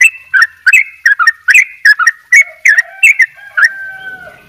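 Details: Sooty-headed bulbul from Bali in 'dobel ropel' gacor style: rapid paired and single bright whistles, slurring up and down, about three per second. The song fades into a soft sustained tone.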